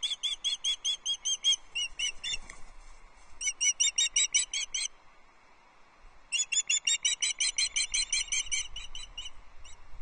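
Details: Osprey female at the Loch Arkaig nest, 6 July 2024, calling persistently for her mate; long bursts of insistent high piping chirps in rapid runs, separated by a short quiet gap, then resuming.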